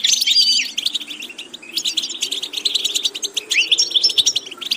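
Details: European goldfinch song practised for varied repetitions: quick tinkling chirps and buzzy trills, with drawn-out whistled notes at the start and near the end, continuous and lively, faint hum underneath.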